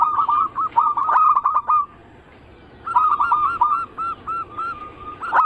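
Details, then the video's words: Zebra doves of local, Bangkok and crossbred types coo as a lure to make others sing. Two bursts of rapid staccato notes, the second slowing into spaced coos and a final drawn note, follow a brief pause. "Pancingan burung perkutut paling ampuh penarik Bunyi semua jenis burung perkutut Anggungan"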